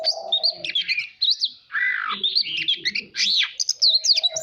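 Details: Oriental magpie-robin singing in a voice-training recording intended to excite birds into duel song. Quick looping high whistles, a harsh buzzy section, then more bright notes, with soft low chatter beneath.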